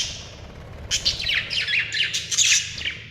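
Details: Contented budgerigar giving a lively, warbling chatter of quick high chirps and squeaky notes, rising and falling irregularly over about two seconds.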